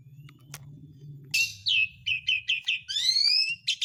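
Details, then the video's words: Asian pied starling song played as a lure for birds that stopped singing: low hum at first, then a burst of harsh notes followed by quick repeated chirps and a buzzy rising trill. "BURUNG MALAS BUNYI JADI GACOR LAGI (JALAK SUREN)"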